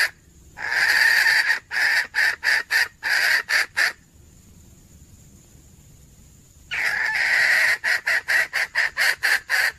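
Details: Red junglefowl hen calling, 17 February 2021: two bouts of fast harsh cackling, each starting with a long grating note then quick clipped bursts, separated by a pause with a faint steady high whine.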